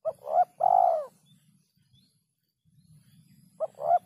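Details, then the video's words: Spotted dove, kuk 3 coo style, clean recording: a quick note and rising coo, then a long mellow rolling coo, about two seconds of quiet, and another brief two-part coo beginning, over faint low hum. "suara burung terkukur kuk 3"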